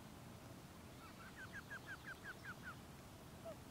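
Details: Common loons on a pond warning an intruding rogue loon away from their territory and chick: a quick, evenly spaced series of about eight wavering, laughing notes lasting under two seconds, then one lower trailing note, with soft background noise.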